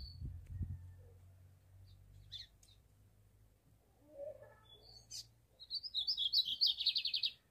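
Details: A captive lined seedeater sunbathing in a backyard at 9 a.m. sings scattered high chips, then a fast run of buzzy, repeated high notes; low rumbling background and brief speech at the start.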